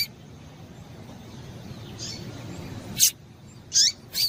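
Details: Female coleiro, the Double-collared Seedeater, giving calls that stimulate males to sing. After a quiet stretch with one faint note come three quick high, downslurred chips near the end, over low background noise.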